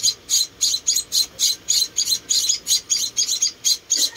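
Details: Rescued munia babies being fed, four chicks, chirping in clear separate high hissy notes, roughly four a second, each note brief and bright.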